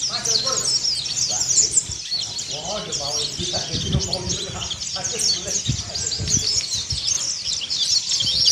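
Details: Mountain white-eye of the Kelud dakun type in continuous ngeriwik sambung twittering, played as therapy to get birds to open their beaks. Dense high chirps and trills run without pause, with faint lower sounds and background noise underneath.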